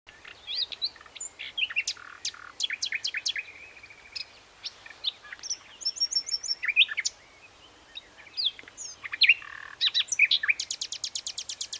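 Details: Common nightingale (Luscinia megarhynchos) sings rich, varied phrases: clear whistles, sharp chirps, then a fast stuttering run of high repeated notes. Short pauses separate each phrase.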